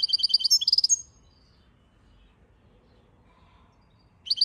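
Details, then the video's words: Goldfinch song: a quick burst of bright, tinkling twittered notes lasting about a second, then quiet, with another short twitter starting at the end. "Goldfinch song"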